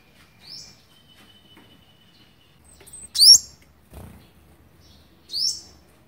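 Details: Olive-backed sunbird at the nest feeding young, day 11, 27 November 2019; sparse high, thin upslurred chirps, one faint early and two louder later, with a low thump and a faint steady whine.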